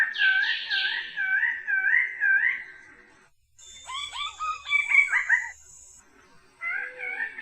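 A bird-of-paradise gives wavering, warbled whistles, then a burst of rapid, descending harmonic notes under a steady high hiss, ending with more wavering whistles.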